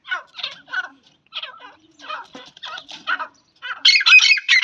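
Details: Harsh squawking notes from a female grey francolin kept as a pet, in irregular clusters, ending in a louder, denser burst of rasping calls.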